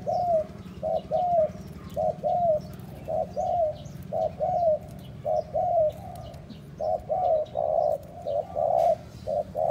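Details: Repeated spotted dove cooing, played to stimulate and attract other doves. Short hollow notes fall in pairs and triplets with small pauses, some bending down at the end, continuing steadily throughout. Distant small-bird chirps are present.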